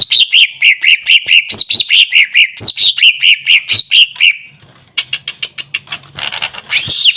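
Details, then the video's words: Greater green leafbird giving a rapid string of loud chirped notes, roughly two per second, then softer clicks and a harsh buzzy burst at the end. "Cucak Ijo Macet dan Bahan Denger, langsung nyaut dan bunyi"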